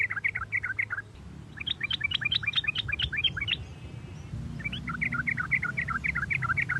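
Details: Sooty-headed bulbul song used to stimulate singing: continuous bubbly phrases of rapid chirped notes that rise and fall, a brief lull near the middle, then the lively chirping resumes over faint background hum.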